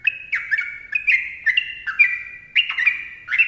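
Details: Close, loud sooty-headed bulbul master song: continuous chain of ringing, warbled whistles that slide down and overlap, almost without pause, in the dense ropel style.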